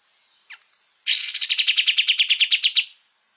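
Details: Kapas tembak (olive-winged bulbul) in full voice on a training master for cage songbirds: a brief downward note, then a loud two-second run of quick, regularly repeated sharp notes that ends abruptly.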